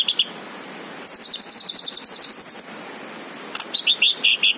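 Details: Green leafbird song: a couple of opening notes, then a rapid run of clipped high notes lasting about a second and a half, a pause, and a few lower, looser chirps at the close.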